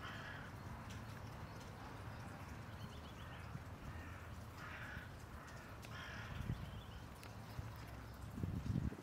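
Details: Common moorhen at Tivoli landscape park, Ljubljana, Slovenia, on 2 February 2024, giving a few harsh, croaking calls spaced a second or two apart, over a steady low rumble of background noise.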